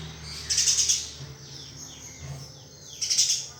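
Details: Eurasian tree sparrow master recording for training: two short clusters of sharp, high chirps, at the start and near the end, with quiet hiss between.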